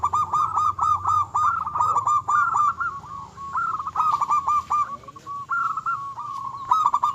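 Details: Energetic local zebra dove song, used to anger rivals and raise their breeding urge: fast, regular staccato coos about four per second in long rolling runs, with faint chirping of other birds above.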